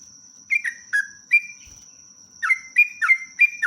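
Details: Sooty-headed bulbul in energetic long-phrased 'ropelan' song meant to stimulate other birds: spaced, bright, falling whistles quickening into a tight run of repeated notes, over an unbroken faint high tone.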